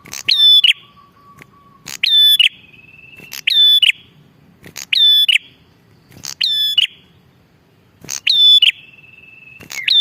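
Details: Bar-winged prinia calling hard, a recording meant to lure wild male and female prinias and tutor caged birds. Seven loud phrases come roughly every 1.5 seconds, each a snapping click into a shrill whistle, with faint level whistles between.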